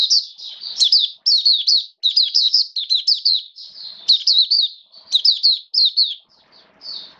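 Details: Sustained high-pitched warbling from a hobby-kept Oriental white-eye, its feeding tuned to rainy-season conditions. Closely packed chirping phrases run almost without pause over a quiet background.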